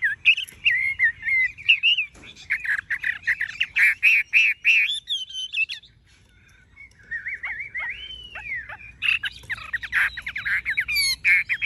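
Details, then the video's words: Chinese hwamei, tame, with golden-yellow legs, bill and feathers, pouring out a long, loud song of fast chattering notes and warbled whistles, a short silent pause, then sweeping whistled slurs and renewed rapid chatter. "Họa mi thuần đét chân mỏ lông lá vàng ươm - Hót như máy"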